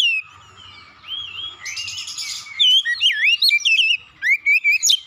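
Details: Magpie-robin lure song for provoking a rival bird into song: a soft wavering whistle and a brief rush of noisy notes give way to loud, looping whistled phrases and quick repeated chirps.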